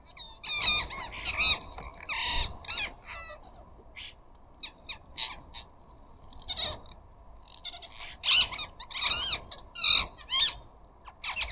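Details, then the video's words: Ring-necked parakeets in a flock of up to a dozen visiting a bird feeder, sometimes arguing and fighting: clusters of loud grating squawks and sharp chattering notes, with quieter gaps between noisy bursts. "Flocks of Ring necked parakeets."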